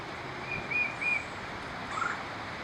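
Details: A female tufted titmouse of a breeding pair calls her mate to collect more nest material, giving three thin, high whistled notes and then a lower one over a steady hiss.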